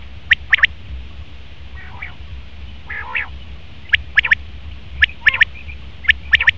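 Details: Male common quail repeating its quick three-note call in short bursts, with harsher nasal, buzzy calls from another bird in the gap between phrases.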